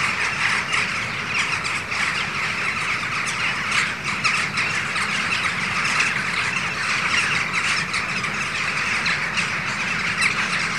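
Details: Morning flock of hundreds of jackdaws wheeling around a rainbow at Ringenberg Castle after leaving their roosts; constant overlapping clamour of short, harsh, squeaky calls from many birds, over steady low background noise.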